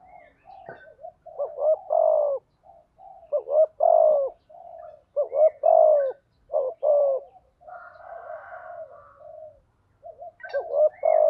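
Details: Spotted dove, cock and hen calls played for training and luring doves: a run of low, rough coo phrases, each ending in a longer falling note, with a fainter buzzy passage partway through.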